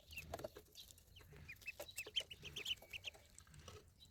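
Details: Young ducklings calling in quick, irregular high peeps, roughly two per second, some slightly rising, with light tapping sounds beneath.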